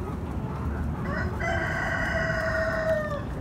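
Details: Rooster at a fairground at Halloween, fed pumpkins with hens and chicks, delivers a clear crow: a short rising lead-in, then a sustained harmonic note for nearly two seconds, tapering off against steady low noise.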